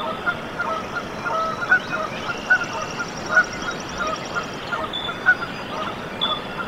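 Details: Canada goose goslings hatching in their nest at Decorah, Iowa, USA, 14 April 2024, give sharp single peeps roughly once a second over steady outdoor background, with a distant trilling bird.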